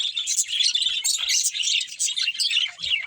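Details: Brief stretch of budgerigar chatter: rapid, scratchy twitters and warbles from several birds, continuous and high-pitched.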